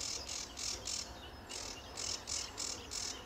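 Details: Sedge warbler at RSPB Fowlmere on a sunny July 2013 morning giving spaced, harsh, grating buzzes, roughly three per second, each a short rasping burst, somewhat softer and more distant.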